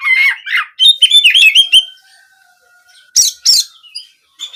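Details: Brief Oriental magpie-robin (kacer) song in the 'nembak kenari' style, meant to coax birds into singing daily or for contests. A short burst of fast chirping notes, a faint drawn-out tone, then two sharp high calls.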